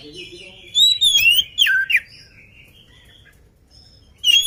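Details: Oriental magpie-robin, lively and not yet fed, singing two short bursts of loud whistled, sweeping notes with sharp upslurs and downslurs, separated by a quiet pause, with faint low background hum.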